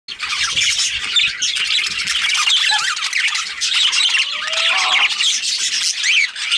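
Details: Budgerigars in dense, continuous high chatter: overlapping squawky chirps, warbles and scratchy notes that fill the air without pause, with a few short clearer whistled notes partway through.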